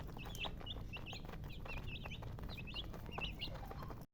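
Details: Baby chicks chirp in bright, looping peeps, often in quick pairs, from more than one bird, over a steady low hum before the sound cuts off.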